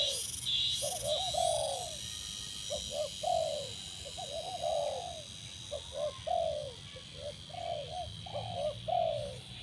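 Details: Spotted dove being trained to sing quickly on a branch for use as a decoy utters a series of low, mellow coos in grouped phrases, short notes leading into drawn-out falling hoots. Faint insect buzz briefly at the start.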